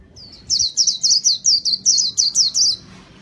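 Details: White-eye song used for luring birds: a fast series of about ten sharp, high, downslurred chirps packed into two seconds, bright and insistent, over a faint low background hum.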